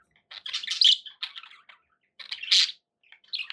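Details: Budgies kept as pets give two loud bursts of scratchy warbled chatter with a few short chirps between, separated by a quiet gap of under a second.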